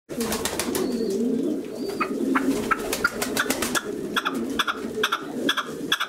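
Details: Male red-legged partridge singing: harsh, clipped chuck notes in quick rhythmic bursts that grow sharper toward the end, over a steady low murmuring background.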